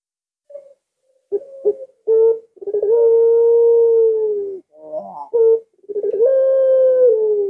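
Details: Puter pelung, a cooing dove, recorded at midnight on a Thursday night: drawn-out, steady mellow coos with short stuttering notes between, long sustained tones lasting up to two seconds.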